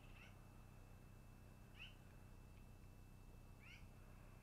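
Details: Three thin, falling squeaks about two seconds apart from a long-eared owl at the nest in the early afternoon, with a continuous high whine and low rumble behind.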